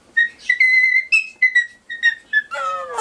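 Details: A pet Ducorps's cockatoo (Solomon cockatoo) gives a run of clear, steady whistled notes, each under a second, then ends with a lower, rasping, voice-like phrase in imitation of speech.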